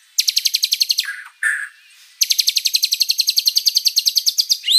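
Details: White-rumped shama singing a long, varied song: rapid series of sharp chattering notes repeated about twenty times per second, a short pause with lower slurred notes, then another fast rattling run ending in an upward whistle.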